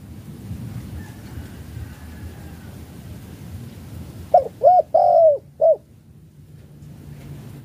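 A spotted dove gives four soft, hollow coos in quick succession, the third longest, after several seconds of low rumbling background noise.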